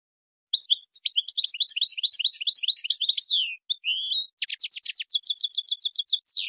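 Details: Wild song of a European goldfinch, 'shoun khalawi': a rapid run of repeated twittering notes, two short slurred calls, then an even series of sharp clipped notes about eight per second, ending in a rising flourish.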